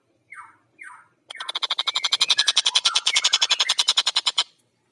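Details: Long-tailed shrike singing actively in a fast, dense style. Two short descending buzzy notes are followed by a long, rapid rattle of harsh notes that swells and then stops abruptly.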